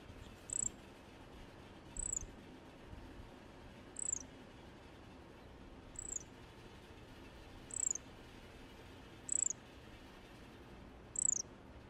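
A pale-billed flowerpecker gives very high, thin trills, each a quick burst of identical notes, repeated every two seconds.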